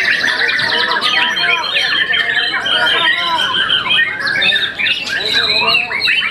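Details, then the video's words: Young white-rumped shama, a contest champion after its first moult, singing an intense tangle of whistles and rattles, possibly overlapped by voices. "tambah umur pasti lebih enak || murai batu muda mabung satu kali"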